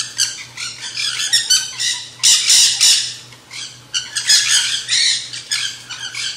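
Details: Several Nanday conures in a feeding frenzy at a backyard seed feeder; dense, overlapping harsh screeches come in rapid ragged bursts nearly nonstop, loudest around the middle, over a faint constant low hum.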